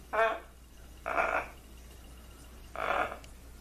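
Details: Well-trained blue-and-gold macaw kept as a pet, speaking greetings: three rough, word-like bursts of roughly a third of a second each, the last after a longer pause, with a faint background hum.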